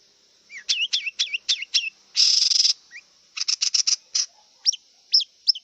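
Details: Song of a wild long-tailed shrike: looping whistled slurs repeated five times, a long harsh rasping burst, a rapid run of clipped high notes, then scattered sharp rising whistles.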